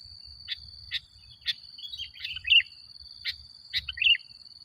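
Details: Vigorously singing sooty-headed bulbul used to lure and provoke other bulbuls: sharp clicks alternating with two bubbly, tumbling warbled phrases, backed by an unbroken shrill tone.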